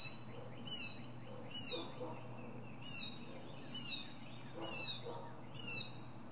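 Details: Perched at the top of a pine tree, a northern mockingbird repeats a harsh, high, descending rasping phrase roughly once a second, six times, with faint softer notes between.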